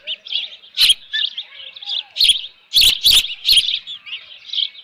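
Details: Nesting osprey with left over fish, 13 June 2018, late morning; strings of high, squeaky chirps rise and fall, broken by several sharp clicking bursts.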